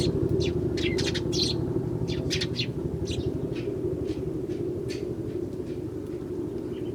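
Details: Wild Eurasian tree sparrows in early January, many of them visiting, with one starling also around: sharp, short chirps repeated in quick bursts over a loud, steady low rumble like a passing vehicle.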